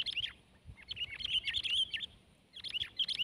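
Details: Sooty-headed bulbul (kutilang) during a tense fight against another bird: rapid bright twittering of short, clipped, bubbly chirps in two dense bursts, broken by a brief pause, over faint low hum.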